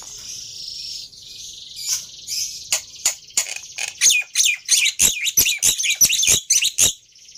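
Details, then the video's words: Black-winged myna song used as a lure to get a silent bird singing: thin high whistling that builds into a quickening run of sharp, harsh chattering notes, about a dozen in sequence. "Tes Dengan Suara Pancingan Burung Jalak Putih Ini Di Jamin Nyaut"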